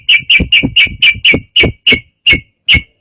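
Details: Yellow-vented bulbul singing emotionally to provoke rivals into song: a series of short, bright, identical chirps, quick at first and slowing toward the end, each with a dull low thud beneath.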